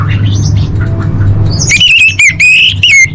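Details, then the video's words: Female orange-headed thrush calling to males, a lure for silent birds. After a quiet start, loud ringing whistled notes arrive in quick repeated bursts, some wavering, over a faint low hum. "Suara Anis Merah Betina Gacor Untuk Memancing Burung Macet Bunyi"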